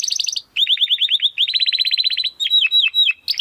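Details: Domestic canary singing in the crystal-voice style for training competition birds: quick high rolling notes, then long runs of rapid, slightly falling whistled syllables and a few deep downward swoops.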